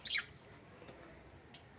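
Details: A single quick high chirp sliding downward from a pet lovebird in an indoor breeding colony, followed by near silence with a faint click and a brief high tick.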